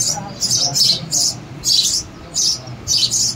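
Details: Sparrow chicks giving harsh, hissing begging calls in bursts roughly every half second, loud and raspy, over a low background hum.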